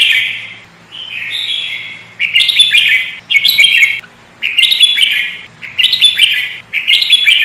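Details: Sooty-headed bulbul in full chattering voice for luring birds: a run of harsh, buzzy bursts that come in quick succession, roughly every second, each with bright upper twitters.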